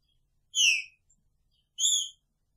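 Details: Two drawn-out, downslurred whistles a little over a second apart from a caged Green-winged Saltator singing picharro style with its female in the cage.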